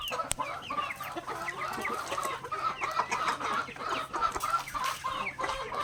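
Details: Backyard native chickens at feeding time, pecking grains: dense overlapping clucks and short chattering calls from several birds, rapid and irregular, with pecking taps throughout and a faint steady low hum.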